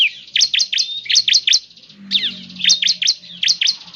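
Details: Singing bar-winged prinia, used to coax a caged bird into song. Clusters of three or four piercing downslurred chips are split by a softer, sliding whistled note, with a faint low hum underneath.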